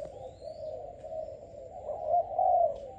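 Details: Young selected Malaysian-type spotted dove, kept about five days, cooing: a low steady hum with a louder rounded coo near the end.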